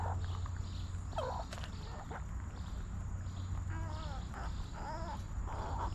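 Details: Backyard chickens relaxing in a cozy coop: a hen gives repeated wavering, nasal clucks, one near the first second and several more between four and six seconds, over a constant low-pitched hum.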